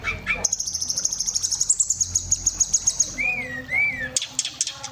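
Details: Kacer, the Oriental magpie-robin, singing gacor isian: a long rapid run of high ticking notes for about three seconds, then two rising-falling mid-pitched whistles and a burst of sharp clicks.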